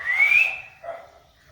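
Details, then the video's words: Parrot talking in a cat voice, giving a meow-like whistled note that slides steadily upward, then a shorter, lower, softer note after a brief pause. "Parrot talking in cat voice"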